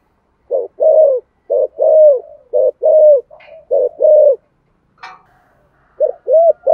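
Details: Recording of a spotted dove singing in the 'thổ' voice style, used to lure wild doves: several low, rough coo pairs with drawn-out falling notes, a pause broken by a short rasping sound, then cooing resumes.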